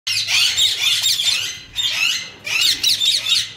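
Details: A lutino (yellow) Indian ringneck talking parrot chatters in three dense, harsh bursts of high, scratchy sounds like mimicked speech, with brief pauses between them.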